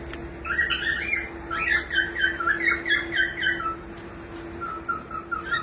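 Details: Young pet cockatiel singing indoors: quick warbling chatter of short notes in a rapid run, then softer level whistles, with a constant low hum behind.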